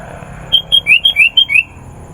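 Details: Sooty-headed bulbul, a busy singer used as a lure for wild bulbuls, gives seven clear whistled notes after a short pause, alternating level and slightly rising tones in quick succession.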